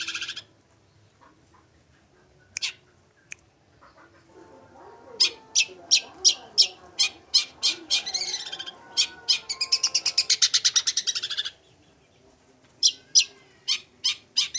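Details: Long-tailed shrike in full song, delivering sharp ticking notes in rapid series, a burst of dense buzzy chatter and twittering, then more spaced clicks after a pause, over faint low background noise.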